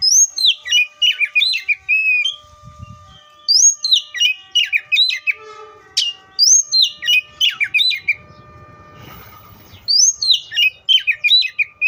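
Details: Oriental magpie-robin repeating a fast phrase of sharp downslurred whistles and chips about every three seconds, with faint background rustling.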